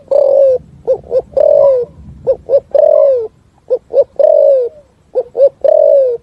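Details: Spotted dove singing the complete 'thúc gù' song with a forest echo: a rhythmic cycle of two short punchy coos and one long mellow coo sliding downward, repeated about six times.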